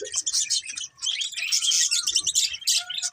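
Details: Busy high-pitched twittering from pet budgerigars, chirping happily: scratchy, fast warbled notes pour out almost without pause, with a few thin whistled tones.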